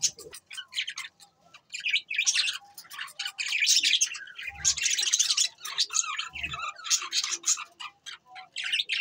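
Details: Budgies chattering continuously with high, scratchy chirps and squawky notes in an uneven stream, with two faint low thumps.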